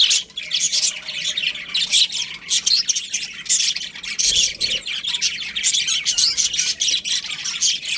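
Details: Budgerigars in a colony chirping together: a dense, continuous chatter of harsh, buzzy squawks and high twittering notes from many birds at once, overlapping without pause.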